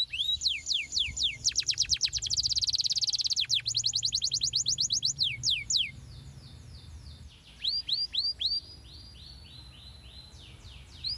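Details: Canary singing, played to coax young canaries into frequent song and long rolls. It opens with rising whistles, then a dense rapid trill of sharp notes, then quieter, more spaced swooping whistles.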